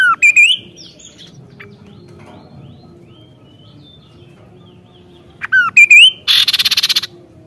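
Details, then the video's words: Kaso-kaso singing energetically: a loud burst of sharp whistled notes sweeping upward opens the phrase, quiet pause follows, then the same rising whistles return near the end before a harsh buzzy series of rapid pulses. "BURUNG KASO KASO GACOR NEMBAK"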